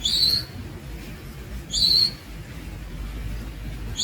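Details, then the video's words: Young Javan Munia (Lonchura leucogastroides) giving high, thin, slightly rising calls, about three spaced notes, the second longer, over low steady rumble. "The Young Javan Munia Bird"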